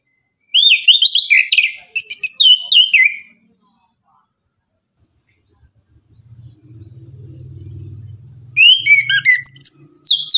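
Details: Orange-headed thrush singing tembakan-style in the morning: bursts of fast, zigzagging whistled notes, with a quiet stretch in between where a low engine-like hum is heard.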